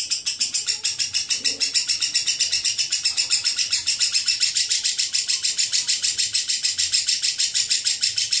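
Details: Lovebird in a long ngekek chatter. High, harsh pulses repeat at about three to four per second in a steady rhythm for over eight seconds without pause.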